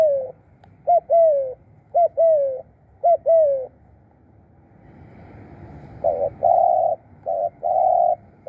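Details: Decoy spotted dove calling birds in: paired lilting coos repeated about once a second, then after a brief low rumble a run of flat, sustained hooting coos.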